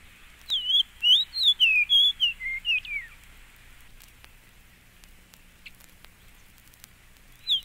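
Fox Sparrow song: a rich, sweet run of slurred whistles, rising and falling, lasting about two and a half seconds, then quiet with a brief note at the end.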